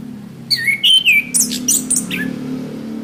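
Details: Orange-headed thrush song used for training caged birds: clear whistled slurred notes followed by harsher buzzy high phrases, over a steady low hum.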